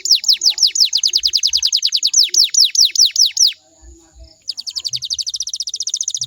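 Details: Canary lure song for getting other canaries to sing along: a long, loud run of sharply falling notes repeated rapidly, a short quiet gap with soft thumps, then a fine, very high continuous trill.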